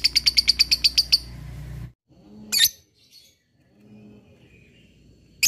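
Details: Lovebird ngekek chatter, said to provoke opponents to call: a brief run of about ten sharp, evenly spaced notes, then quiet room noise broken by two harsh squawks.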